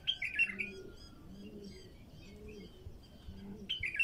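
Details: Bulbul singing a raw song used to stir wild bulbuls into song: a quick, bubbly warbled phrase opens and another closes, with faint thin calls from other birds and low murmuring in between.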